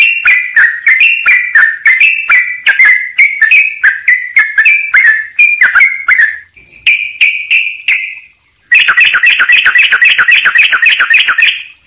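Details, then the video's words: Sooty-headed bulbul singing busily, tutor song with close pauses and full fill-ins: rapid whistled notes at over 200 a minute, a couple of drawn-out whistles, a short silence, then a dense, fast chattering run of bright notes. "trucuk gacor"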